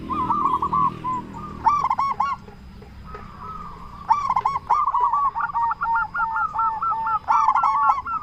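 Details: Loud local zebra dove from Indonesia, used to coax quiet or stressed doves into calling back: soft wavering trills broken by sharp, rapid clusters of rolling coo notes, the final seconds filled with a dense, fast bubbling series.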